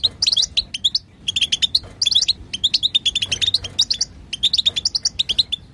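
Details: Batbata chatter of a female European goldfinch to set a male singing: continuous runs of sharp, high twittering notes in short groups with brief gaps.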